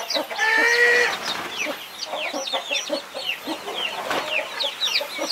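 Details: A mother hen guarding her 21 baby chicks: a brief steady tone opens, then soft low clucks mix with dense, chirpy up-slurred peeps from the brood.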